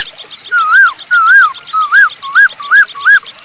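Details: Masked laughingthrush in lively song used as a lure to set other birds singing: six loud, clear whistled phrases, each a rising-then-falling slur, repeated about every half second over constant high chattering from other birds.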